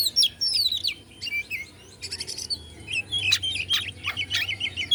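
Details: Oriental magpie-robin, Bandung, Indonesia, voicing song meant to rouse other magpie-robins: dense sequences of fast slurred whistles and chatter, a buzzy segment near two seconds, continuous lively phrasing throughout.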